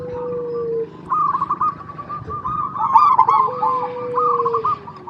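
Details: Local zebra dove singing, a recording used to lure other zebra doves into song: bubbling staccato cooing phrases, then a long level whistle-like tone from another caller underneath, with faint background murmur.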